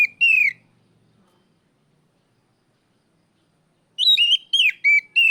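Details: Oriental magpie-robin giving ngeplong calls to summon a rival: a loud, clear slurred whistle, then after a long silence a burst of several sharp whistled notes with bright overtones, on a quiet background.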